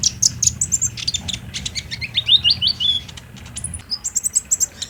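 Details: Captive-bird lure of a sunbird, played by day: busy high twittering of sharp chirps and brief rising slurs, a short quieter gap, then more quick thin tweets, with a low rumble underneath.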